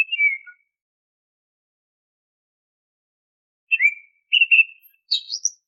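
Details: Oriental magpie-robin whistles played to prompt caged birds to sing: one falling whistle, a long silence, then a swooping note, a doubled whistle and a quick rising high flourish.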